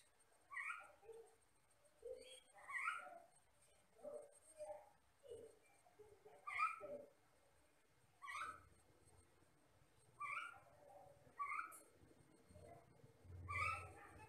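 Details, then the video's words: Common myna (jalak Batam), a noted mimic of the Riau Islands lowlands, giving clear descending two-note whistles repeated roughly every two seconds, each followed by softer low notes, with faint low rumbling behind. "MASTERAN BURUNG JALAK BATAM GACOR"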